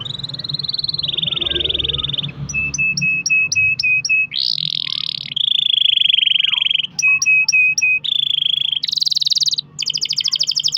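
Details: Caged pet canary singing a long rolling song, played to prompt other canaries to sing: sustained buzzy trills around mid-high pitch alternate with rapid repeated chips and fast rising tours, phrases shifting every second or two, faint low hum beneath.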